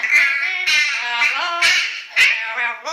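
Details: Yellow-naped amazon parrot rehearsing the pop song "Little Apple" as household dogs object; strong, nasal, melodic phrases that swell and break off, several loud accented notes in under three seconds.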